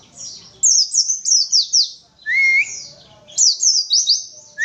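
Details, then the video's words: 'Witwitwit' song of an untrained Oriental white-eye: a run of five high, downward-swooping chirps, then a single bright rising whistle, followed by another fast chirp series. "Pleci Bahan Lepas Bereng Konservasi Nembak Witwitwit"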